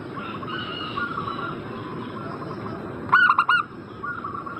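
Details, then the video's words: Zebra dove cooing used to coax a bird in breeding condition into answering: soft background cooing throughout, then one loud, rapid rolling phrase of about four notes near the end over a hissy background. "Pancingan burung perkutut Agar Cepat Nyaut gacor Juaranya pancing birahi langsung nyaut emosi"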